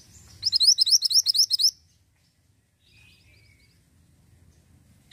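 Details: Lively ashy tailorbird song, used as a lure to set others singing: a rapid run of about ten piercing, high chip notes lasting just over a second, then near silence with a few faint distant chirps and a final sharp click.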